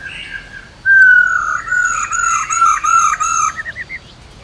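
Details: Female black-throated laughingthrush in a long 'ro ro' song that spurs males to sing. One powerful, clear whistle falls smoothly, then breaks into rolling, bouncing notes and a few quick chirps at the end.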